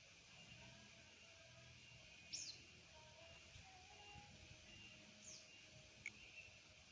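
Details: Cave swiftlet (Collocalia linchi) nesting in a corner of a house, giving a few thin, high chirps that drop sharply in pitch, spaced several seconds apart, over a steady hiss and low hum.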